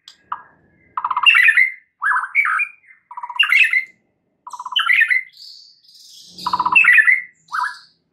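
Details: White-rumped shama singing as a lure to draw out a shama's full repertoire: varied phrases of low fluty notes followed by harsher squawking chirps, separated by brief pauses, with a few thin high notes.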